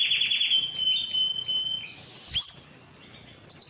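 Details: Belgian canary breeding song for females, short chirps over a held whistled tone, then loud bursts of high notes with a sharp click and a brief quiet spell.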